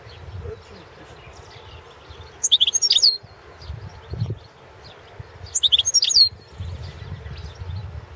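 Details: European goldfinch of the balcanica subspecies, entered in a 2017 world goldfinch song competition, giving two short flurries of sharp, tinkling twitters about three seconds apart, with quiet background noise between.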